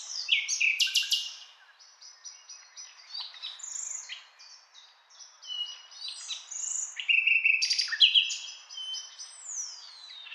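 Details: Nightingale song of varied phrases: sharp clicks, sustained high whistles, rising and falling slurred notes and rapid buzzy bursts, delivered in loud spurts separated by quieter passages.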